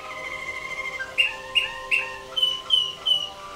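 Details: Waterslager canary in a contest cage at the 2011 WWC singing contest. A sustained tone leads into clucking, knocking notes repeated about three times a second, then higher clear notes in the same rhythm.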